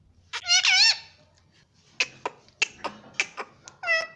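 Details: Pet ring-necked parrot talking at home: a loud squeaky word-like phrase at the start, then scattered clicks and taps, ending with another short squeaky syllable.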